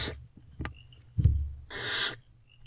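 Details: Nest-box barn owls, female and owlets, during a midnight feeding in April 2023: scattered clicks and thumps, then a single loud, breathy screech lasting about half a second.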